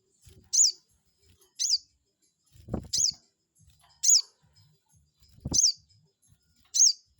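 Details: Lure call of a crested jay meant to anger a rival into answering: piercing high chirps repeated roughly once a second, alongside occasional dull low thumps.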